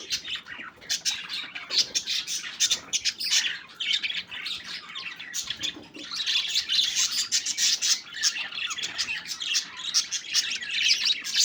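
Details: Budgerigars at play, a group chattering continuously: busy layered warbling, squeaky chirps and harsh clicks, high and bright, with short pulses packed close together and no pauses.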